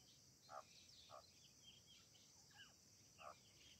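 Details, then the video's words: Grey francolin giving three short, ringing two-toned notes at uneven intervals, with faint chirps between, over a steady high hiss of crickets. "desi teeter birds ♡grey partridge♡ grayfrancolin hunting sounds"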